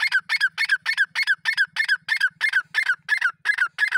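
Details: Grey francolin, known as Dakhni teetar, calling in a fast, steady series of loud, harsh, ringing notes, about three per second. Each note is a rich, nasal burst that falls slightly at the end, repeated without pause.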